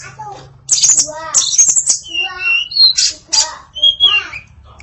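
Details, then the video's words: Female hill blue flycatcher (tledekan) in varied song, mixing harsh rasping squawks with high buzzy bursts and a few clear whistled notes, phrases separated by short pauses over a low background hum. "Kicau Memukau Tledekan Betina Yang Bersuara Variatif // TLEDEKAN SUPER ISIAN KOMPLITE"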